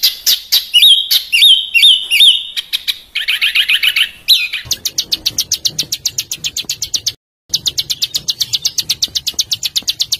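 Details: Harsh 'besetan' song of a small bird, used as tutor material for house and contest birds. Sharp, hooked whistled notes in quick succession give way to a long, rapid, buzzy high trill broken by a short pause.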